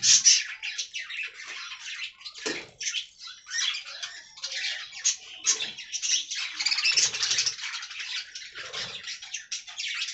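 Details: Colony of budgies in an aviary, chattering continuously for ten seconds in a dense, buzzy, high warble of overlapping voices.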